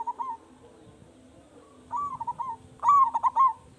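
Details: Local zebra dove with a big voice used to draw song from other doves: a soft short coo, then a stuttering rippled phrase, then a louder rolling burst of quick notes.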